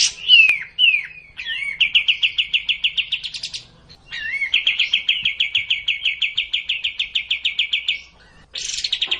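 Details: Sooty-headed bulbul, kapas tembak, in racin style: opening slurred whistles, then two long rattling trills of rapid notes separated by a short pause.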